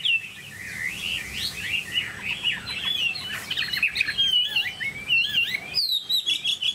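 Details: Chinese hwamei, tame and caged, singing a lively chain of twisting whistled phrases that grow louder and higher toward the end, with a few sharp clicks.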